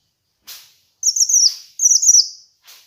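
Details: A kinoi bird sings in a master recording used for training and luring: two long, rippling, very high warbled phrases that drop slightly at their ends, framed by soft breathy bursts.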